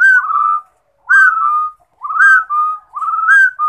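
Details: Rufous-throated partridge singing: clear whistled phrases, each a short upslurred note followed by a longer level whistle, repeated about once a second, with sharp high clicks at each phrase onset.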